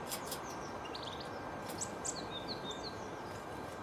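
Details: Sooty-headed bulbul, known locally as kutilang banteng, uttering short, high, clipped whistled notes and chirps in scattered bursts, with a constant low hum underneath.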